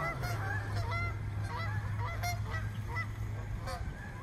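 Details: Over a hundred swans crowded into a small park, alarmed, giving a chorus of brief bugling honks one after another, some clear and ringing, over a continuous low hum.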